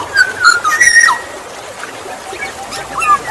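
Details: Oriole lure sound of the Black-naped oriole (kepodang emas): a quick run of clear fluty whistles that ends in a falling slur, then quieter whistles and faint high chirps from other birds.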